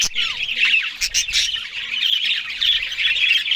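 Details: Morning chatter from a group of Australian budgerigars eating greens, a sharp squawk at the start followed by tumbling, scratchy warbled notes from several birds at once.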